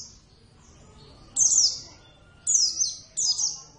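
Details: Javan Oriental white-eye, Zosterops palpebrosus javanus, a hand-raised kept bird in full song: three bright, high bursts of rapid twittering notes sliding downward, separated by about a second of quiet.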